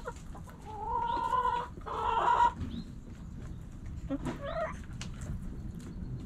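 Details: Backyard hens and roosters pecking and scratching; two drawn-out harmonic squawking calls in quick succession, then a short cluck, with pecking taps and low background noise.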